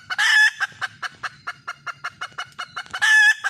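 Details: Wild red junglefowl hen calling for a male: two loud, drawn-out harmonic notes, one at the start and one near the end, with about a dozen short clipped clucks repeated between them.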